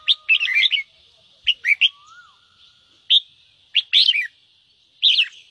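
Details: Red-whiskered bulbul singing in the 'ché' style, a song used to stimulate wild-caught birds into singing. Short bright chirpy phrases, rapid and warbling, come in bursts about every second with quiet gaps, over a steady high hiss and a faint low whistle.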